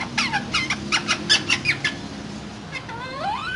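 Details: Two green parrots in a cage, said to be talking: a run of harsh, rapid chattering bursts, then a pause and a few whistled notes sweeping up and down, with a low steady hum underneath.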